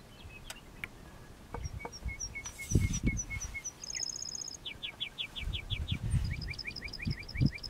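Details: Lark bunting singing on June 3, 2014, in a community pasture southwest of Milestone, Saskatchewan, Canada, recorded from inside a vehicle: series of repeated whistled notes and fast trilled phrases, changing pitch between sections, over low rumbling noise.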